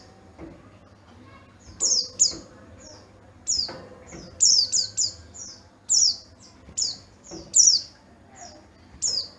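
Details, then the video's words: Oriental white-eye of the yellow-breasted type from Garut, Java, known for a crystal-clear, loud voice. It gives rapid clusters of very high, thin, downslurred notes in bursts of two to four, repeated roughly every second over a quiet background. "Burung Pleci Dakun Garut Raja Jawa"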